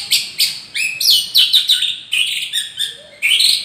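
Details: A captive champion White-rumped Shama in Gondanglegi, Malang, East Java, pours out a fast, varied run of bright whistles, chips and buzzy trills, high-pitched and changing every few notes, with no other sounds.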